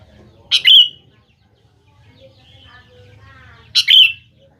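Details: Sooty-headed bulbul, lively song meant as a lure so young birds answer: two short, loud, bubbly phrases, each a sharp note then a rich warbled slur, about three seconds apart, with near silence between them.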